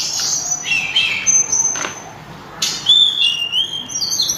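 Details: Loud, melodious song of a sulingan (tledekan gunung): bright high whistles, some held steady and others wavering or stepping down, delivered in two bursts around a short quiet gap.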